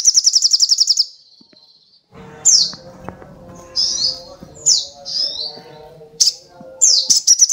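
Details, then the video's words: Crimson sunbird giving a fast high trill, then after a pause a series of separate sharp, high downslurred chirps, ending in another quick trill. "SUARA BURUNG SOGOK ONTONG GACOR"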